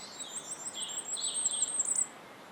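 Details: A firecrest in Estonia sings a quick run of very high, thin, needle-like notes that speeds up over about two seconds, over faint background hiss.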